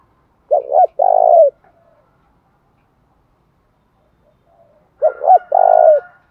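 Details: Spotted dove, a large bird likened to a pigeon, calling in the Vietnamese thổ voice style: two coo phrases, each a short double-humped note followed by a longer even coo, about four seconds apart, with quiet surroundings.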